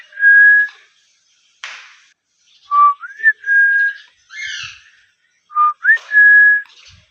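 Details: Pet rose-ringed parakeet giving clear level whistles and short rising whistled notes, repeated in several phrases, with a brief raspy chatter in the middle and a soft noisy burst.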